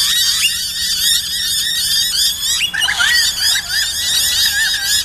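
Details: Several noisy miners at Corso reserve, Brisbane, on 29 August 2012, responding to an owl model with a dense, harsh chorus of scolding chips and rasping notes, overlapping without pause.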